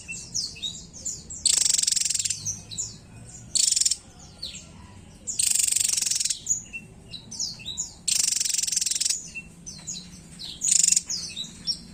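Javan Tesia giving a lively, high-pitched run of sharp chirps and twitters, broken by several loud, harsh, noisy bursts about every two seconds.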